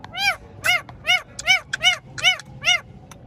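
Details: Green Indian ring-necked parakeet kept as a talking pet, repeating a harsh, ringing arched call seven times at a steady pace of about two per second, with a faint hum underneath.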